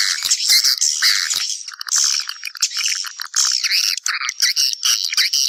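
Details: Swiftlet calls meant to draw others back to nest, a steady stream of shrill, chattering twitters with short rising notes and scratchy trills, no clear pauses.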